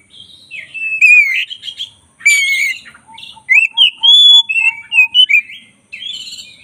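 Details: Black-breasted kacer (Oriental magpie-robin) singing energetically: a varied medley of slurred whistles and buzzy, rich notes, then a rapid string of sharp, high, twisting whistles, with faint low whistles beneath.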